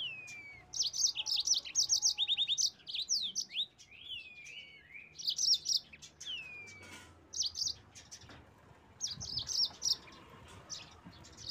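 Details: Yellow-fronted canary (mozambik) song used as a lure to provoke rivals: repeated bursts of rapid high chirps with several falling slurred whistles woven between phrases.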